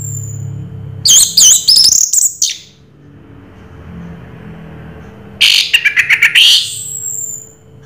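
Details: Orange-headed thrush (anis merah, 'raja teler') singing two bursts of rapid, high, varied whistled and chattering notes, the second burst a quick run of sharp repeated notes, separated by a few seconds of quiet background hum.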